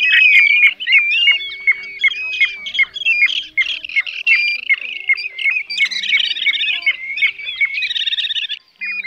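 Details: Various plover calls used to lure birds into night nets, mixing greater and lesser plovers, Pacific golden plover and grey plover: dense overlapping whistles and squawky chirps about 160 times a minute, with a buzzy rattling burst near the end.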